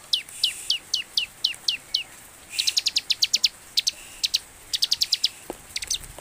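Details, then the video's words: Ciblek, the bar-winged prinia, in a lure recording: a row of high falling chirps, then dense rapid ticking bursts and a few scattered notes, all high-pitched against light hiss. "burung ciblek gacor|| pancingan ciblek agar cepat bunyi"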